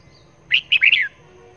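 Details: Caged red-whiskered bulbul kept as a decoy bird for trapping, tested to see whether it calls wherever it is hung. It gives a quick run of three bright, warbled notes, the last one longer and slurring downward. The background is quiet.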